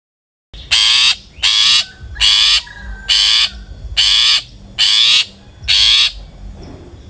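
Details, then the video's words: Long-tailed shrike song used as a lure to make other shrikes sing: seven harsh, buzzy rasping bursts, each about half a second, repeated roughly every 0.8 seconds, with a faint thin whistle between some bursts. "suara burung CENDET GACOR ampuh pancingan CENDET AGAR BUNYI"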